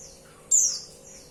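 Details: Female white-eye (pleci) calling to a male: one brief, thin, very high chirp, sharply struck then trailing off over about a quarter second, against quiet background hiss.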